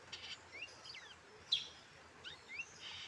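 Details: Brown-throated sunbird, a tame bird kept and cared for since childhood, gives a few thin, high chirps and quick sliding notes, scattered unevenly over a soft background hiss.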